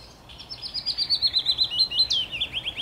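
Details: On 17 May 2021 a willow warbler sings a liquid, wistful phrase: rapid repeated notes drifting steadily downward, a sudden upward sweep near the close, then a few lower soft notes to finish.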